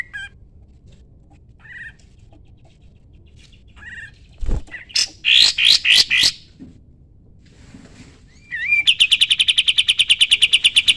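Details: Sooty-headed bulbul, singing strongly as a training model for other songbirds: scattered soft chirps, a sharp click, a few loud harsh bursts, then a rising whistle launching into a fast, steady trill of repeated piercing notes.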